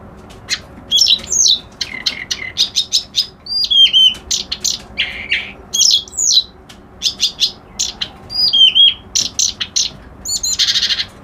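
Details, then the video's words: A long, busy reed warbler song of dry rattling ticks, harsh churring notes and looping whistled slurs, repeated in varied, almost continuous phrases. "Suara Burung Kerak Basi Alis Putih"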